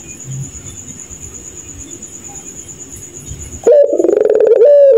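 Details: Puter pelung dove at night, a quiet stretch of insect drone broken by a sudden, loud, fast-pulsed laughing coo lasting just over a second, low and throaty with a wavering pitch.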